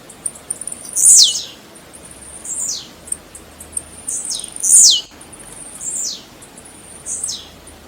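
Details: Tiziu, the Blue-black grassquit, singing: a loud, sharp, high buzz slides downward about every three and a half seconds, and fainter similar buzzes fill the gaps.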